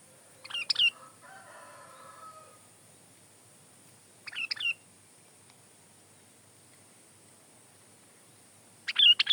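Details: Sooty-headed bulbul singing in a lively way for tutoring and luring: three short chirpy phrases spaced several seconds apart, with a fainter, lower drawn-out tonal sound after the first phrase and quiet pauses between.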